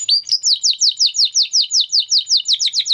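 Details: Spanish Timbrado canary song: a steady series of loud, sharp, downslurred whistled notes, roughly five per second, clean and high with no other sounds.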